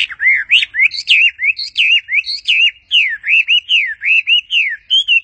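A bird sings a fast, continuous run of bright whistled and chirping notes, swooping up and down, roughly four short phrases each second, with no other sounds.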